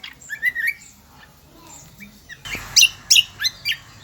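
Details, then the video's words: Kecial kombo of Lombok, an endemic bird, in loud song: a few twisting high notes, a quiet gap, then sharp piercing chirps given in quick succession. "burung kecial kombo gacoorrr melengking"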